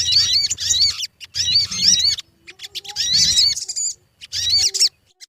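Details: Sogon lure song to get birds singing: four bursts of fast high warbling with looping whistled notes, separated by short pauses.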